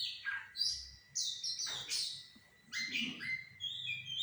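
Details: Sumatran laughingthrush singing to draw a reply from another bird: high, bright chirped and slurred notes in separate clusters, some with buzzy harsh edges, with short gaps between phrases.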